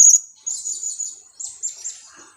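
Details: Two-week-old blue-crowned hanging parrot chick used as a lure, giving a shrill opening note followed by several short, high, wavering squeaks in quick succession.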